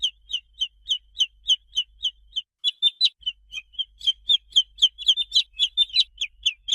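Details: Young chickens giving a steady stream of shrill peeps, each a short falling note, with a brief pause and then busier overlapping cheeps from more than one chick in the second half.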